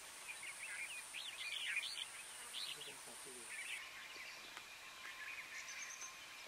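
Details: Red-whiskered bulbul (Pycnonotus jocosus pyrrhotis), recorded in Corbett National Park, India, in November 2023, gives short, bubbly, warbled phrases of mid-high notes, a few per second, over a steady high insect whine and soft hiss.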